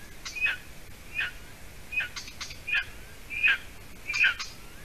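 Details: Golden eaglet in its nest in Latvia, evening of 30 June 2020, with the adult female bringing food; repeated shrill whistled notes, some with a lower falling tail, about once per 0.75 seconds, plus brief rustling clicks.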